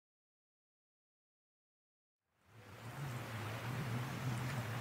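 Two seconds of silence, then a steady low hum under broadband rushing noise, with no animal calls.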